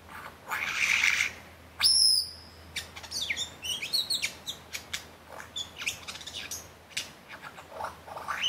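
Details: A male-display context: a superb lyrebird (Menura superba), showing off at the bottom of Martin's Lookout in Genbrook Creek, sings a rapid medley of a hissing rasp, a loud ringing whistle, then a quick run of varied clicks, chips and short high whistles.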